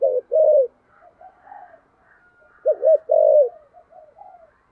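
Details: Low cooing from a spotted dove in the thổ sấm voice style, urgent thúc gù delivery. Two phrases, each a short doubled note then a drawn-out coo. Faint softer notes and a quiet background tone are heard between them.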